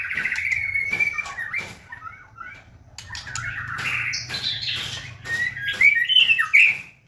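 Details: White-rumped shama song meant to provoke other shamas into singing: fluent whistled phrases at mid pitch, short warbles and high sliding notes, with intermittent clicks and a low hum underneath.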